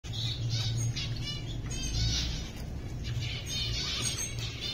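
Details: Exhibition CFW zebra finch breeder pair gives short, nasal, toy-trumpet beeps in quick bursts over a steady low hum.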